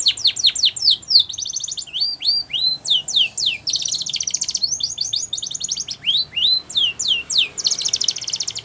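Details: Spanish Timbrado canary in powerful training song, mixing sharp downslurred notes repeated about three times a second with rising whistles and bursts of rolling, rattling trills.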